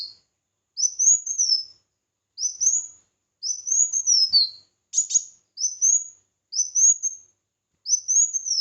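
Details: Bulbul song in a competitive bout: seven short, bright whistled phrases, each arching upward and dropping, delivered about once per second in a steady series.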